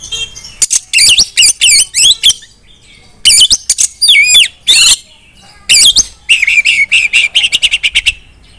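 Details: Singing female Oriental magpie-robin, a kept bird, calling others of its kind to sing: bright, loud, varied whistled phrases with quick upward and downward sweeps, ending in a rapid train of short repeated chips.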